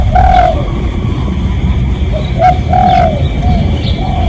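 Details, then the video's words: Spotted dove recorded for real, its call used to lure other doves: soft, mellow coos, a longer two-part phrase then shorter single coos, over steady low rumbling background noise. "เสียงนกเขาใหญ่ เสียงจริง ถ่ายจิง เอามาให้ฟังกันยาวๆ เสียงเป็นเสียงต่อ รับส่งได้เลย"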